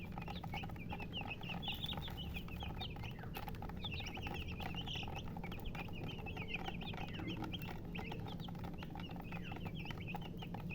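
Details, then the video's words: Baby chickens chirping as a group, dense high peeps in busy runs with a few sharp clicks, over a steady low hum. "Baby "Chicks Chirping" Sound"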